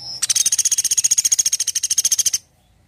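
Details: Woodpecker calling persistently in gacor style for masteran training: a fast, even rattle of about twenty-five sharp, high, clipped notes over two seconds, steady in pitch, ending abruptly into quiet.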